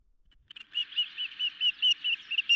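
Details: Ospreys at a nest are brought a medium-sized fish late in the evening on 10 July 2021, filmed by a nest camera. After a quiet start, a series of clear, whistled chirps repeats about every fifth of a second.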